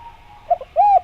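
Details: Brief spotted dove phrase played as a lure for other doves: two soft clipped notes, then one full, rounded coo that swells and fades over a low background hum.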